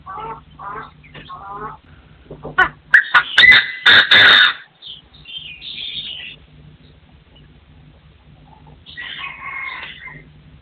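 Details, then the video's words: Partridges crowing in forest: a few soft warbling notes, then a loud run of harsh, rapid, clipped bursts around the middle, followed by quieter trailing chirps and a final two-part call near the end. "The latest sound of partridges in 2024 crowing"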